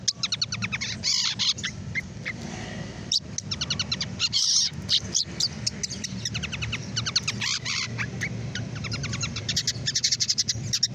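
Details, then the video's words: Captive male long-tailed shrike with full tail chatters almost nonstop in fast, scratchy, high bursts of rapid repeated notes, over a steady low hum. "CENDET TROTOL BULU HALUS © Ngeriwik aktif"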